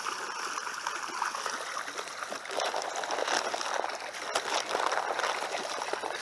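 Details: Running, sloshing water with splashes and a steady broadband wash, no animal voices heard.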